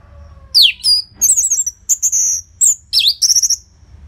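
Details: Orange-headed thrush in a cage, loud prompting song for other birds: a steep downslurred whistle, then varied high warbled phrases, a sustained whistle, a dipping V-shaped note and a fast rattling trill.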